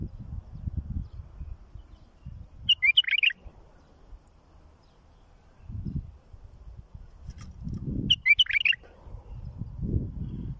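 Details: Bulbul singing for tutoring young birds. Two brief, fluty warbled phrases about five seconds apart, each a tight run of quick rising and falling notes, over steady low rumbling noise.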